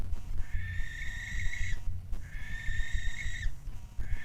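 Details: Barn owl, a male named Luna, screeching toward his female partner: two long, harsh drawn-out screeches, each over a second, with a third beginning, over a low rumbling background.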